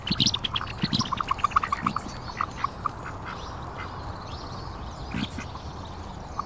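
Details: Mixed flock of Mandarin ducks, Pekin ducks and mallards feeding by a lake in a park, giving a quick burst of nasal quacks and chattering notes early on, then scattered quacks over constant background noise.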